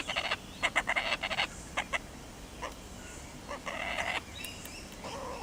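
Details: Laughing kookaburra at Darvall Park, apparently happy after catching a frog, giving loud, harsh chuckling bursts in quick uneven runs, fading after the first two seconds, then a rougher cackling phrase.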